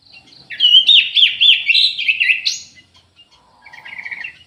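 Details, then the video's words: Aviary orange-headed thrush, anis merah, in full song: a loud, looping sequence of bright up-and-down whistles with a sharp high flourish, followed by a softer, fast twittering trill over a faint low hum. "ANIS MERAH GACOR"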